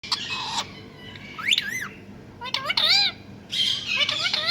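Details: Talking pet parrot imitating a cat's meow: arched, harmonic, meow-like calls rising and falling, given in short bursts separated by pauses, with squawky noisy notes at the start and end.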